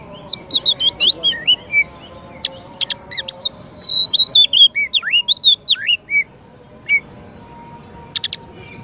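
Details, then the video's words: White-rumped shama, a champion songbird used as a master song for training another bird, sings a rich varied song of high whistled notes, slurred rising and falling phrases and sharp clicks, with a faint low hum beneath. "Kacer Juara untuk Masteran dan Pancingan murai batu"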